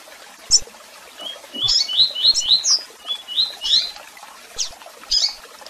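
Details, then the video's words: Double-collared seedeater song with chirps and calls, a chain of bright rising whistled notes mixed with sharp high chirps spaced through the phrase over faint background hiss. "Canto de Coleiro Tui Tui Com Piado e Chamados!!!"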